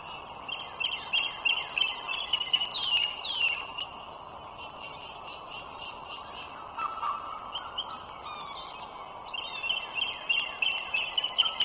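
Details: Wild bald eagles calling at the nest along the Dulles Greenway, northern Virginia, 21 March 2023, 09:15. Bursts of shrill, stuttering piping, roughly three notes a second, come in two bouts separated by a quieter pause.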